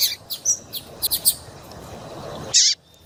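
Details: Female double-collared seedeater calling, used to stimulate males to sing: a few short, high chirps spaced through the first second and a half, a quiet stretch, then one louder, dense burst near the end, abruptly cut off.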